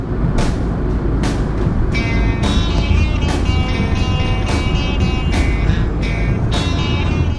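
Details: Rhythmic strummed music plays over a steady low rumble like passing traffic, with no animal voice standing out.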